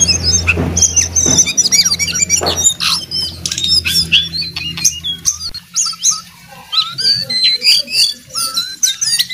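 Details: Brown jongkangan singing energetically: dense, rapid bursts of high, squeaky chirps and twittering whistles, with sharp clicks and a low hum under the first half, then a quieter run of short rising and falling notes.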